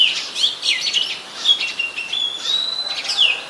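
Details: Oriental magpie-robin, a very common resident, recorded on 24 December 2020 in Ubon Ratchathani, Thailand, with a Nikon P1000: clear whistled phrases sliding between mid and high pitch, including a long steady whistle that slowly rises.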